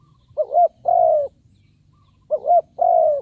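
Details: Decoy spotted dove calling to attract wild birds: two identical low cooing phrases about two seconds apart, each a short wobbling note and then a drawn-out, gently falling coo.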